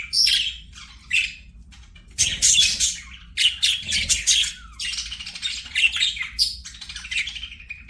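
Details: Pet budgerigars singing and playing: scratchy chirps and squawks in bursts, a quiet gap near the start, then a long busy warble ending in a drawn-out buzzy note.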